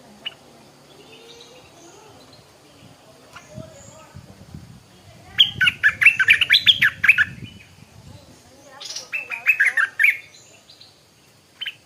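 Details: Stripe-throated bulbul heard in the morning delivering a fast run of bubbly, chattering notes, a pause, then a second shorter burst and one final note, over faint low background rumble.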